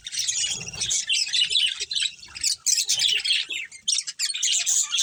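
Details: Budgerigar colony with a breeding pair, giving lively bursts of high twittering chirps separated by short breaks, a gap near four seconds, soft low background rumble early on.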